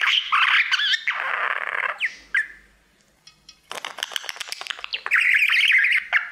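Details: Pet male budgerigar singing to his mirror: chattering warble of buzzy trills, wavering whistles and rasping notes, with a near-silent pause midway before the chatter resumes.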